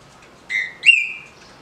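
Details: Green-winged saltator, a captive bird kept under legal permit, singing the easy 'de roda' song style: a clear whistled note, a short pause, then a louder rising whistle that levels off and fades out.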